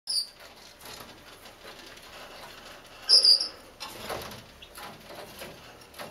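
Gouldian finch giving a few thin, very high call notes, one at the start and a short cluster near the middle, over soft rustling and pattering.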